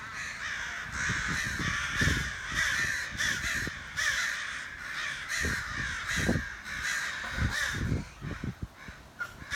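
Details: Outside a back door, crows caw in harsh, raspy bursts, while sharp low knocks and thumps sound at irregular moments throughout.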